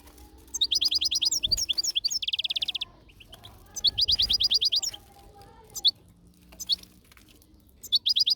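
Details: European goldfinch in nature, singing in bursts of rapid, bright, twittering notes, with a buzzy trilled run in between and short pauses between phrases; faint low rumble in the background.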